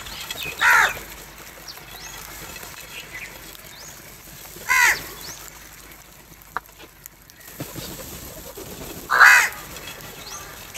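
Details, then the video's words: Crows contesting food call with single harsh caws spaced roughly four seconds apart, three in all, separated by quiet stretches with faint outdoor ambience. "Crow cowing and attack on food"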